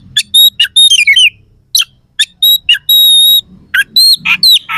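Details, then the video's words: Oriental magpie-robin with coarse fill-in song: sharp, pure whistled notes, some held long and steady, mixed with quick rasping slurs and short chattering bursts separated by brief silences, meant to provoke competing birds. "Suara kacer gacor NEMBAK ISIAN KASAR"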